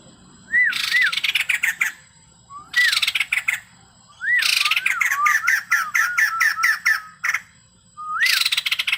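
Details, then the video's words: Energetic male white-crested laughingthrush, song full of mimicked filler phrases: short rising whistles launching long rattling chatters, one extended burst of rapid clicking notes in the middle. "burung poksay jambul putih gacor full isian"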